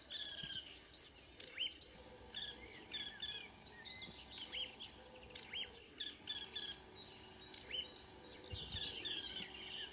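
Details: Two or so Marsh warblers singing early on a June morning near Ski, Norway: dense, jumbled warbling with chirps, trills and high squeaks packed closely over ten seconds.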